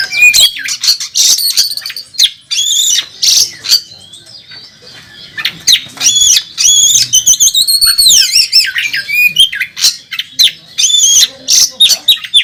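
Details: Oriental magpie-robin performing full varied song at a bird contest: bursts of harsh chattering alternate with clear sliding whistles, a short quieter pause after four seconds, then energetic repeated phrases resume.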